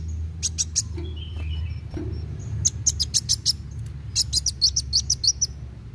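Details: Lively fast-singing sunbird, a recording meant to prompt young birds to sing; sharp high chips in quick clusters, a few lower slurred notes, then a long rapid run of tinkling notes, with low background hum.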